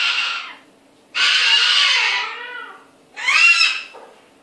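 A cockatoo gives three harsh, raspy bursts of imitated talk, the middle one longest at over a second, separated by short pauses in a quiet room.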